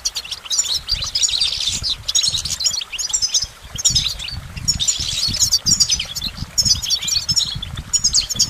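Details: Goldfinch song: a fast, dense stream of high twittering and tinkling notes in bursts with brief pauses, several phrases overlapping, over low rumbling background noise.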